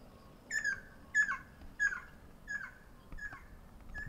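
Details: Ruddy kingfisher heard 12 April 2019, first of the year, calling back and forth: a fainter series of six short downslurred whistled notes, about one every two-thirds of a second, over quiet background hiss.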